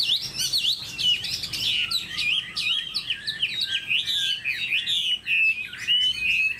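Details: A caged Chinese hwamei from Vietnam pours out loud, rich song, with high twisting whistles, fast trills and slurred phrases following one another without pause.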